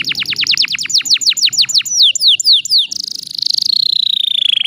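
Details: Canary song used to provoke rival birds into singing: a run of rapid repeated descending whistled notes, then a few slower downward slurs, ending in a long high buzzy trill that slowly falls.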